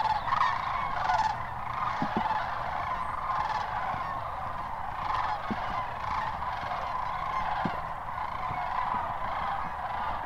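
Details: Large gathering of sandhill cranes, Hiwassee Wildlife Refuge near Birchwood, Tennessee, January 16, 2013, producing a constant chorus of rattling bugles, with occasional short low knocks in the background.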